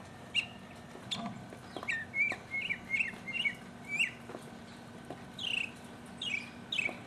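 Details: Mockingbird solo from 2015: scattered clear, down-slurred whistles and short buzzy notes, some given in pairs, separated by gaps of quiet background hum.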